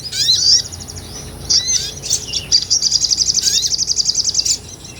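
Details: Small nectar-eating sunbird in vigorous song, recorded for tutoring cage songbirds on a Sony A6400. Very high, dense phrase: quick twittering notes and slurred chirps running into a fast rattling trill of around fifteen pulses.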